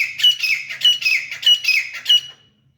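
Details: Grey francolin (teeter) fighting: a fast series of about seven loud, scratchy, squealing notes, each with a sharp high whistle, ending abruptly into silence.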